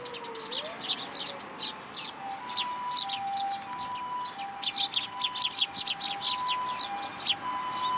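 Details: Juvenile sparrow flying in to be fed in a plum tree at a Tenmangu shrine on 15 June 2022; insistent high chirps repeated quickly, with a separate electronic-sounding beep pattern pulsing in the background.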